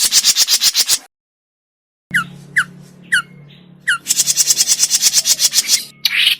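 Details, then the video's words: Lure recording of grey-cheeked bulbul for trapping: rapid harsh buzzy notes, a pause of silence, then several sharp downslurred chips, followed by a long fast buzzy rattle and a final harsh note. "SUARA PIKAT CUCAK JENGGOT MINI"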